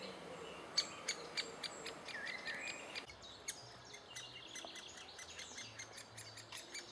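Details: June 2011, great spotted woodpecker adults feeding chicks: bursts of quick, hard kik notes, several per second, alongside whistled calls of other birds.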